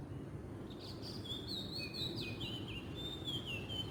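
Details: Oriental magpie-robin (Copsychus saularis) singing in the wild in Southeast Asia: faint, clear whistled phrases sliding between higher and lower notes, strung together over a steady loud rumble of background noise.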